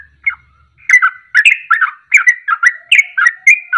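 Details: Sooty-headed bulbul ropelan used as a direct lure for other birds to follow its fast song. A single opening note, a short pause, then a quick chattering run of rich, slurred whistles.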